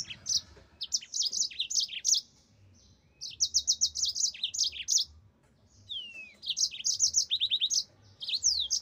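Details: Yellow-fronted canary (mozambik) delivering fast repeated high chirps and rolling trills in bursts of one to two seconds, with one drawn-out falling whistle and short quiet gaps.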